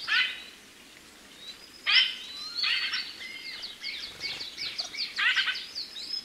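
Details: White-winged grosbeak: a few harsh, buzzy notes separated by pauses, then a busier passage of scratchy chirps mixed with thin high whistles over a quiet background.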